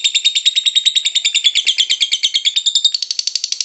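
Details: Lovebird singing a rapid, buzzy chattering series of shrill pulses. The notes quicken and rise slightly in pitch toward the end, in a quiet setting.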